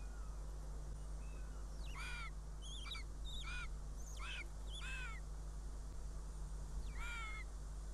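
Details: At a Northern goshawk nest in Riga, Latvia, on a June 2017 afternoon, with the female arriving with prey and a chick present: rapid run of six whining, downslurred calls with harsh overtones, then a pause and one more, over a steady low hum.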